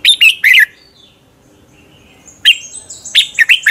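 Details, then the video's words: Lure-bird fighting song of a red-whiskered bulbul for training: a quick three-note warble, a soft thin high trill, then a busier burst of rapid chirpy slurred notes. "Luyện chào mào hót sáng Giọng chuẩn hay Để ép bổi căng hót, chào mào hót đấu"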